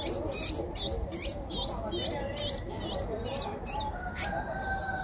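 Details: Streak-eared Bulbul chick aged 10 days, recorded in Ubon Ratchathani, Thailand on 12 April 2023, gives quick repeated high squeaks that bend upward then drop, steady for four seconds before tailing off amid low hum.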